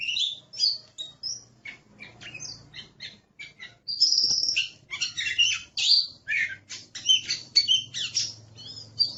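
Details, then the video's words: Oriental magpie-robin in aggressive song, an Indonesian kept bird: sparse short chirps and whistles at first, then a loud, dense chatter of harsh notes mixed with sharp whistles, over a faint low hum. "Suara Master Burung Kacer Galak"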